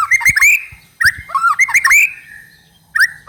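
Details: White-rumped shama song used as a lure to prompt another bird to sing: loud whistled phrases swooping around mid pitch with sharp high harmonics, delivered in bursts separated by short pauses.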